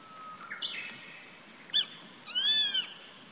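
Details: Treetop-perched Grey-faced buzzard on 14 April 2019 gives a crisp short note, then a longer high arched whistle. Other birds' thin rising whistles and chirps come just before.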